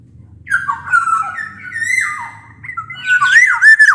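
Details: Black-naped oriole in full song, meant to coax quiet orioles into singing: a string of rich, flute-like whistles sliding up and down, ending in harsher, buzzier rising notes.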